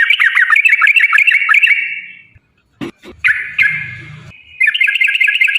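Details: Yellow-vented bulbul in a long rolling song used to goad other birds into singing: rapid gurgling warbled notes, a pause with a brief thump, then renewed bubbly phrases.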